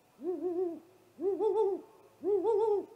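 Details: Owl hooting at a great gray owl nest under attack from a great horned owl, filmed by a live camera just after midnight on 30 March 2018: three loud, low, quavering hoots, each about half a second, repeated once a second.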